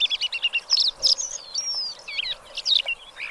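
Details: Black lark in full song, pouring out quick chattering notes mixed with longer drawn whistles and slurred phrases, bright and tumbling without pause.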